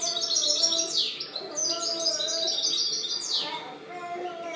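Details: European goldfinch singing in 2013, fast tinkling twitters broken by two loud, sweeping descending notes, the phrases flowing rapidly and unevenly.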